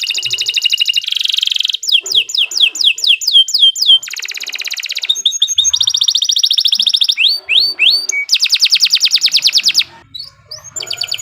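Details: Continuous canary singing as a master song for beginner birds: nearly unbroken run of rapid high trills, falling sweeping notes and buzzy rattles switching every second or so.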